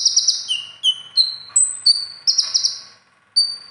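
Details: Konin song for competitions, filled with other birds' material: a fast buzzy trill, then a varied string of pure whistles at shifting pitches, ending in a short pause and a single note.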